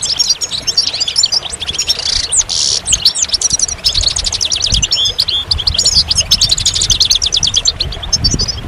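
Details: Continuous goldfinch singing, rapid high twittering with tinkling and buzzy trilled phrases; a brief rustling burst early on, otherwise an unbroken chatter of song.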